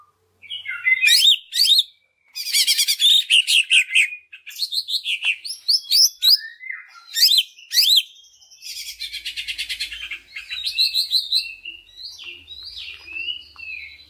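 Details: Long, varied greater green leafbird song used as a lure for other leafbirds: rich mix of whistles, slurred chirps, rapid buzzy rattles and mimic-like phrases, nearly continuous with brief gaps.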